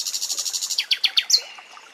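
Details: Common nightingale song in a forest setting: a fast train of about a dozen evenly spaced, buzzy repeated notes, then four louder rising slurred notes and a short sharp whistle, over a soft steady background hiss.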